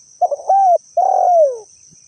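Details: Spotted dove calling as a lure, a quick stuttered lead-in, a level coo, then a longer coo that drops in pitch at its end, with a steady high hiss underneath.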